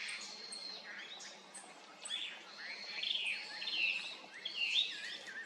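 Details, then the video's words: Japanese grosbeak: wild bird giving a run of clear whistled notes and short slurred chirps, rising and falling, louder toward the end, over quiet background noise. "イカルEophona personata"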